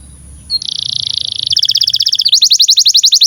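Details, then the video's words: Canary tutor song for young or non-singing canaries: after a faint start, a steady buzzy roll, then a fast pulsing trill that changes into quicker, sharper sweeping notes. "SUARA BURUNG Kenari GACOR PANJANG INI Cocok untuk Masteran KENARI PAUD dan Kenari Macet BUNYI"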